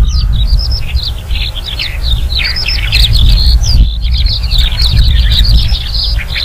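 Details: A Horsfield's bush lark in the wild pours out a fast, varied twittering of high chirps and short trills, almost nonstop, over a steady low rumble of wind.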